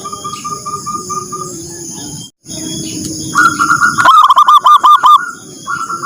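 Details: Zebra dove calling at dawn to encourage other birds. Quiet repeated coo phrases build into a loud, fast trilling series of clipped notes, with lower humming tones and a constant high whine behind.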